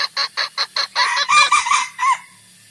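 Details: Red junglefowl call played as a trapping lure for wild males and females: a run of about six sharp, even clucks, then a louder, harsher burst of broken, crowing notes that fades out.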